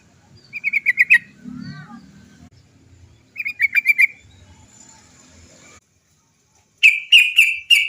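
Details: Long-trilling sooty-headed bulbul (trucuk gacor) used as a lure to make trucuk birds sing: two quick bursts of clipped repeated notes, then a louder, slower rolled series, over a faint low background rumble.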